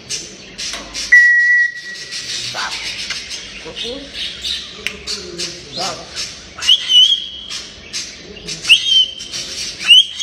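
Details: Playful talking grey parrot: a steady whistled note near the start, then mumbled speech-like sounds and short squawky noises, ending with repeated rising and falling whistles and clicks.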